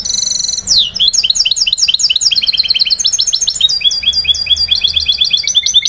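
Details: Goldfinch hybrid from 2011, a trained singer kept in captivity, pours out a continuous fast song: a sustained high note, then long runs of quickly repeated twittering and chattering phrases that shift pitch, rich and unbroken for six seconds.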